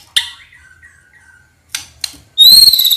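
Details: White-rumped shama song played to provoke other birds: a sharp note, a soft low whistle, two clicks, then a loud ringing high whistled phrase at the end.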